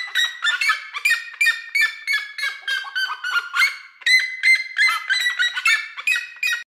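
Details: Duet of red-legged seriemas perched on a house roof in Brazilian countryside; rapid series of loud yapping, barking notes from both birds, overlapping and slightly varying in pitch, continuing without pause for several seconds.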